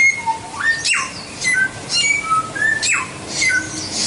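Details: White-rumped shama singing in a varied, loud phrase: clear whistled notes, sharp downward sweeps, and high chirps alternating at a quick, uneven pace.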